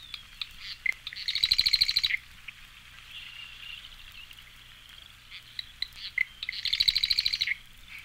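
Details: Long-billed Marsh Wren singing two rapid, mechanical, rattling trills, each about a second long and introduced by dry clicks and a short note, spaced roughly five seconds apart with soft gurgles and ticks between.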